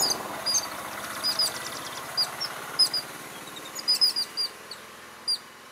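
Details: Yellow-billed babblers mobbing a rock python in undergrowth in the morning in Anantapur district, Andhra Pradesh, India, alongside robins, prinias and sparrows: short squeaky high chirps and harsh clicks in scattered bursts over a low background hum.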